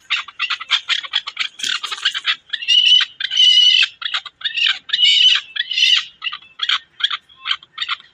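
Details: Chukar partridge calling in Pakistan: a dense run of harsh, squawking and chattering notes that overlap, rising and falling in loud bursts with short pauses between them.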